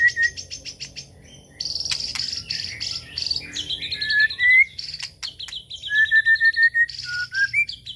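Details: Lure song (pancingan) of the White-rumped shama: varied phrases of clear whistles, some level and some rising, mixed with dense high buzzy trills and fast chip series, loud and continuous throughout.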